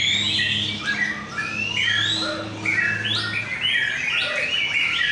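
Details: White-rumped shama singing at a bird singing contest in North Jakarta, Indonesia: a rich run of loud, varied whistled phrases, some sweeping up, others sliding down, delivered almost without pause over a steady low electrical hum.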